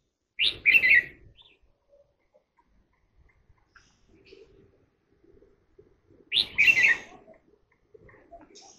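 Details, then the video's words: Red-whiskered bulbul giving two short, bright, warbling phrases about six seconds apart, with faint soft chirps and quiet background noise between them. "love the song of birds greeting crested"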